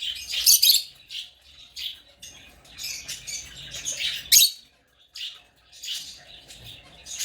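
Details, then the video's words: A string of piercing, raspy chirps from African lovebirds, two especially loud squawks standing out among softer chatter, with a brief silence near the end. "African love birds chirping sound"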